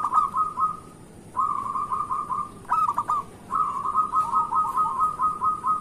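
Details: Local zebra dove song used as a morning lure: four phrases of quick staccato cooing, with short gaps and one choppier burst in the middle, before a long final run.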